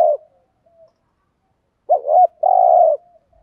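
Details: Lure spotted dove giving thúc gù cooing: the end of one coo, a silent pause, then a full phrase of a wavering double note followed by a long steady low coo.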